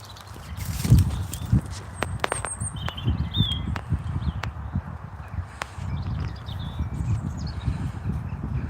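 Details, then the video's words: A European robin sings from the top of a tree on a sunny early spring afternoon, presumably declaring territory. Its thin, high, wistful warbled phrases with pauses are half-buried under footsteps, rustling and rumbling, with noisy jackdaws nearby. "Oh, you can hear the robin singing at us."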